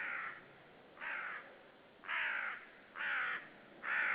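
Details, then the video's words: Common raven yelling hard near a white-tailed sea eagle nest at Saunja, Estonia, March 2013: loud harsh croaking caws repeated roughly once a second, five calls in quick succession. "Saunja Raven yelling hard near by Sulev, you don't see them"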